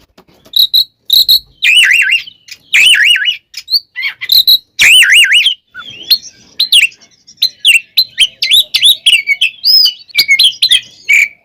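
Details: Oriental magpie-robin giving a fighting song used to provoke other magpie-robins: loud wavering whistles and sharp high notes in short bursts separated by silences, followed by a rapid stretch of varied chirps.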